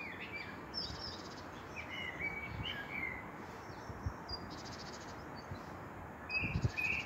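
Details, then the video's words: Common blackbird at sunset singing warbled whistles early on and another brief phrase near the end, accompanied by distant high chirps and a low rumbling background. "Amsel und Sonnenuntergang!"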